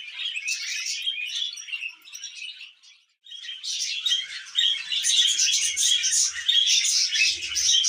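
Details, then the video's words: Happy tame budgerigar twittering in a rapid, buzzy warble of high chirps and squeaks. There is a brief pause near three seconds, then the chatter returns louder and denser. "Happy Budgie Sounds"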